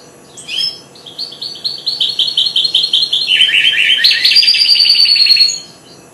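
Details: Young goldfinch hybrid, four months old, in its first song: a fast rattling run of bright repeated notes, dropping lower midway into a denser buzzy trill, about six seconds long and loud against quiet surroundings.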